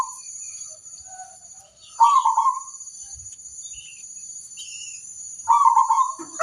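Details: Local zebra dove singing to lure other zebra doves into answering: two short bursts of rapid, rolling coos, a brief lull between them, over a steady thin high-pitched whine.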